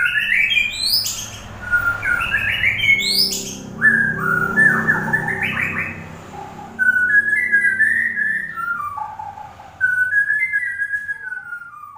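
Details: Murai batu (white-rumped shama) in full song. Fast rising whistled sweeps and chattering trills lead into mid-pitched slurred whistles and short descending notes, with a continuous low droning background.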